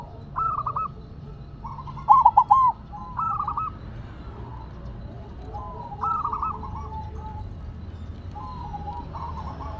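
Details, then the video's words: Zebra dove singing while placed on the ground: rapid stuttering coos, one loud burst near the start, then softer bubbling coo phrases at uneven intervals over a steady low rumble. "Perkutut Silver Tetap Gacor Walaupun Ditaruh Tanah"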